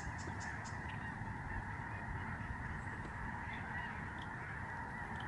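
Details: Thousands of Lesser Snow Geese over a protected Canadian sanctuary, November 2011, calling together in a dense, unbroken honking chorus, with a few distinct high calls scattered through it.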